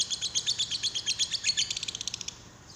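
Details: Lovebird prompting call to draw another lovebird into singing: a fast rhythmic stream of high, piercing chirps, about eight per second, speeding up, thinning and fading out at the end.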